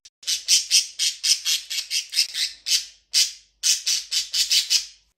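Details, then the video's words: A budgerigar from a small flock kept indoors scolds in rapid harsh, raspy squawks, about four a second, with brief pauses; such scolding expresses displeasure, often hens rebuking cocks who disturb their play or gnawing or are too pushy. "Das Keckern und Schimpfen wird von manchen Hennen und auch Hähnen wohl eingesetzt, um ihre Unzufriedenheit auszudrücken."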